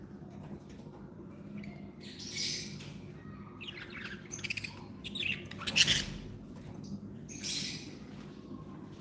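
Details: Pet budgerigars described as happy, kept indoors; scattered bright chirps and short warbling bursts rise above a steady low hum, loudest around the middle and near the end.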